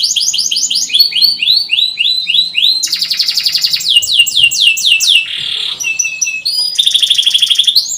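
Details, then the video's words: Canary song used as therapy for silent canaries: series of quick downward-sweeping whistles, dense high trills, a harsh rattling burst, then another fast even trill. "Kenari gacor panjang cuit cuit,pancingan kenari paud AGAR Bunyi,terapi ampuh kenari macet"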